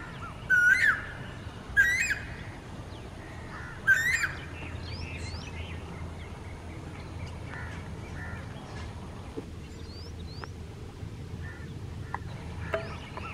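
A male Asian koel gives three loud, rising two-part calls in about four seconds, over a steady noisy hum with faint chirps from other birds.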